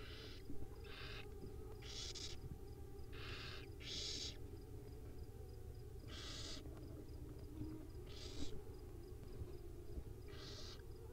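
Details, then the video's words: Wild owl babies at dinner time on a live nest cam, giving about nine short, rasping hiss-like bursts at irregular intervals over eleven seconds, with faint ticking and a constant low background hum. "Owl baby dinner time"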